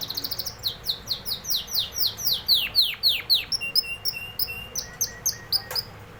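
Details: Canary singing a varied phrase: fast chips, then loud downward-swooping whistles repeated evenly, followed by short level notes and soft lower tones.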